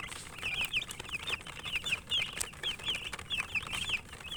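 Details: Chicks chirping while they eat: a busy run of high, thin, quickly repeated peeps, several birds overlapping, with tapping and pecking sounds underneath.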